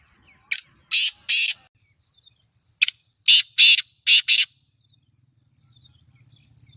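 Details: Home-bred black francolin (kala teetar), one of two birds offered, uttering harsh, grating notes: two bursts, then a short click and a quick run of four rasping notes, over a steady ticking insect chirp.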